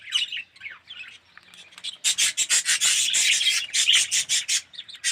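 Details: Budgerigars, red-eyed birds including yellow ones, in an aviary colony, giving dense raspy chattering bursts that start after a quieter opening and run as rapid overlapping chirps.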